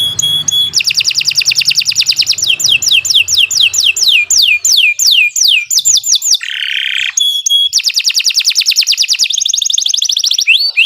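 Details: Canary in long non-stop song for teaching young birds: extended rapid rattling trills, a series of loud downward-swooping whistles, a short buzzy burst and renewed fast trills, with faint low hum early on.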